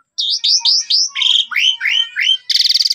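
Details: Lure recording of an Asian pied starling, made to provoke caged starlings to sing, from Cipunagara, Subang, taken on a phone. A quick run of upslurred and down-curving whistles, then a harsh rasping buzz to finish.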